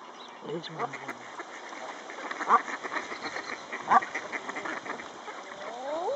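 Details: At Castle Espie wetland centre (WWT), displaying Common Eider drakes give soft, rising, dove-like crooning calls. A person talks over them and other waterfowl murmur in the background.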